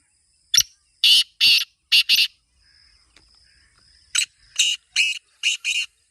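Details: Grating black francolin (kala teetar) call: a click and a four-note harsh phrase, a quiet gap, then a second phrase of five rough bursts. Meant to get a kept francolin calling.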